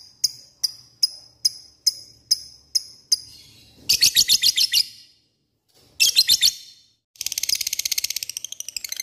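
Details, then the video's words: Lovebird lure call intended to provoke rival birds: a string of sharp, clicking high chips about three per second, then bursts of rapid harsh chatter, ending in a fast buzzy trill. "Pancingan lovebird mudah di respon lawan memanggil lawan ngeekek"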